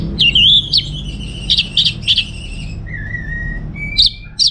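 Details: Orange-headed thrush, a kept bird from North Bali, Singaraja, used to coax and tutor other birds. Loud whistled phrases around the upper-middle range, with sharp high chips and a lower steady whistle near the end, over a faint low hum.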